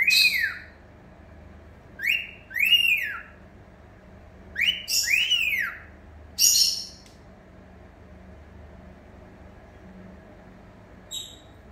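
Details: Cockatiel singing its own version of catcalling wolf whistles: loud two-part whistles, a sharp rise then a falling sweep, repeated in short bursts.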